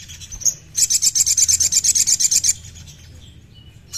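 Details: Sogon song played to get a captive bird singing: a thin, very high buzzy trill of about sixteen rapid pulses lasting nearly two seconds, with a brief high chip before it and another at the end.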